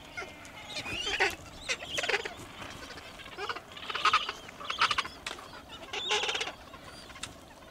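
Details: Gentoo penguins calling at Orne Harbor: separate raspy braying bursts, each made of quick pulses, come every second or two against soft background colony noise.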